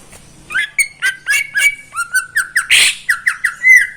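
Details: Morning singing by a caged greater green leafbird owned by a neighbour: continuous varied phrases, whistled notes with clicking overtones, a harsh burst midway, then repeated rising slurred whistles ending on a bright high note.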